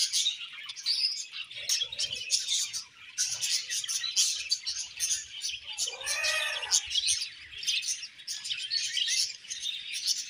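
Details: Paired budgerigars chatter in busy high twitters, interrupted near the sixth second by a harsher, rasping call with a lower, richer tone.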